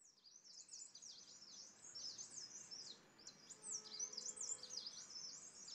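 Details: Green-backed tit (Parus monticolus) in Landour, Indian Himalaya, feeding on Himalayan cedar pine-nut, giving a steady stream of thin, high chips and short slurred notes, several per second, with soft background noise.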